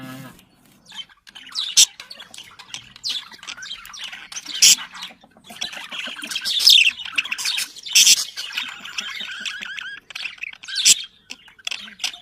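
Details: Several budgerigars calling to stimulate breeding: a busy mix of scratchy chirps, clicks and sharp squawks, rising and falling in loudness, with quieter stretches between louder bursts.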